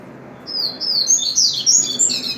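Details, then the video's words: Double-collared seedeater in the wild giving one continuous, fast, high-pitched warbling phrase of slurred whistles and twitters, lasting about two seconds over a low background hiss. "coleiro canto selvagem"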